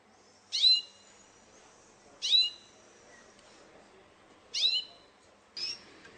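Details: Competing Russian canary giving four separate sharp, downward-sweeping chirps with rich overtones, spaced one to two seconds apart, over quiet background hiss.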